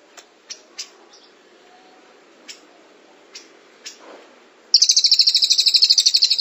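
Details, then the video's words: Cililin giving a 'tembakan rapat' (dense-burst) song as long tutor material. A few faint, sharp high ticks come first, then a loud, very fast, even trill of high pulsed notes starts near the end. "Masteran Cililin Tembakan Rapat Durasi Panjang"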